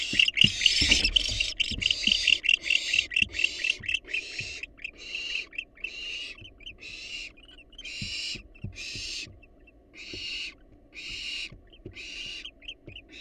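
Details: Wild barn owls at a monitored nest box make rapid, harsh, breathy hisses. Dense overlapping bursts come first, then evenly spaced rasping bursts about four times a second, with low knocking and scuffling sounds beneath.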